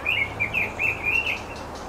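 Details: White-rumped shama at a nest on the North Shore where a pair feeds its young; a quick series of five or six warbling whistled notes, evenly spaced, then fading.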